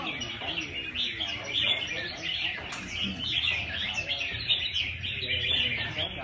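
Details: Red-whiskered bulbuls at a bird singing competition, several birds overlapping in a dense chorus of bright, chirpy, rapidly warbled phrases, high and continuous, with a man's voice faintly talking underneath.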